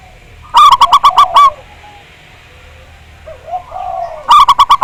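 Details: Local Javanese zebra dove with a big voice, on a lure recording for song: a loud run of seven ringing, evenly spaced coo notes, a quiet pause with soft coos, then another rapid burst begins.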